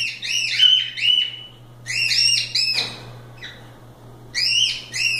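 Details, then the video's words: Loose cockatiels playing give clear bell-like two-part whistled chirps in groups, a pair at the start, three around two seconds, a soft note, then two more near the end, over a steady hum. "Calopsitas Live Canto dos pássaros"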